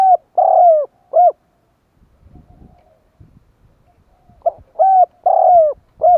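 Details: Spotted dove call for luring wild doves: two bursts of short and long cooing notes with downward-sliding coos, separated by a quiet gap holding faint low rustling.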